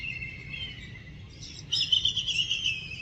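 A black kite gives a thin, high, quavering scream that grows louder and wavers in pitch through its second half, over a low rumble of background noise.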